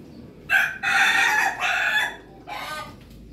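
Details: Ayam Ketawa (laughing chicken) crowing on a Monday morning: a loud, harmonic, broken crow of a short burst, a long drawn stretch, and a falling phrase, then a pause and one short closing note over faint background hum.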